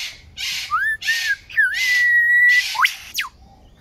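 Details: Australian superb lyrebird song recorded in 2019: short upswept whistles alternating with noisy rasps, a long level whistle, then two steep rising sweeps.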